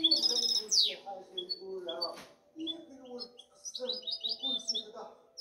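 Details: European goldfinch hybrid twittering in short bursts: a quick trill and downward sweep, then scattered high chirps and brief phrases separated by short pauses, with low murmuring sounds in the background.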